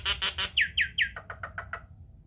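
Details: Nias hill myna singing loudly to provoke other mynas to sing. Three raspy bursts lead into a quick series of harsh notes sweeping downward, repeated about every fifth of a second and fading lower.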